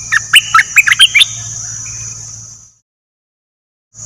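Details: A rapid string of sharp, bright chirps and squeaky notes from a decoy bulbul, one of three, fading into a steady high whine and low hum.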